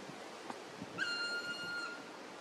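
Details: Black woodpecker, an endangered species, observed on a birdwatching outing at Korea's National Arboretum: one drawn-out, clear whistled note lasting nearly a second, held steady and then dipping slightly at the end, over faint background hiss.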